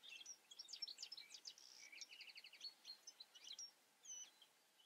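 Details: Song of a European goldfinch, a fast run of bright tinkling notes and short trills packed closely together, high-pitched and continuous, with brief pauses near the end.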